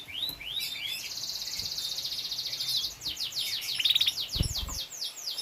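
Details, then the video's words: Breeding canary singing: a few rising whistled notes, then a long buzzy rolling trill held for about two seconds, followed by quick descending chirped runs and a brief thump. "Beternak burung kenari | anakan kenari"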